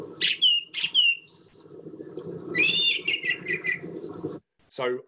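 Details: A song thrush in a garden gives a loud proclaiming song of clear whistled phrases, the opening phrase given twice, then a run of quickly repeated notes, over a low background murmur.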